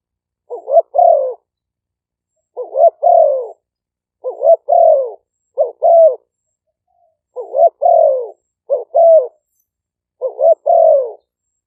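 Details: Spotted dove decoy cooing, two birds of Malay and lively-style strains at times overlapping, recorded in Roi Et, Thailand: seven evenly spaced phrases, each a quick pickup note and two broad, buzzy-edged low coos.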